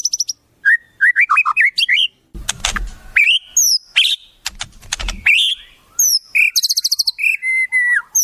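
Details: White-rumped shama (murai) singing a varied string of imitated wild-bird phrases: jumbled twittering notes, harsh noisy bursts, sharp falling whistles and a quick rattle, ending with level whistled tones.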